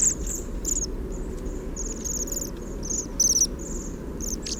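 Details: Several Bohemian waxwings exchange soft squeaky calls audible only nearby, picked up with a parabolic microphone; dense, rapid series of high trilled chirps, some doubled, run almost continuously over low steady noise.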